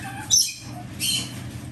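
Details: Captive green-cheeked parakeet chicks, three hatched in mid-July 2024, two males and one yellow-sided female, giving two short harsh squawks, the first sharp and high, the second a softer scratchy burst, over low steady room hum.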